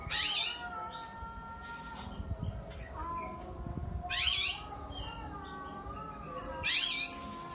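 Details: Oriental magpie-robin in a sobbing, child-like cry: three loud hoarse, rasping bursts spaced a few seconds apart, with thin sustained whistled tones and soft thuds between them.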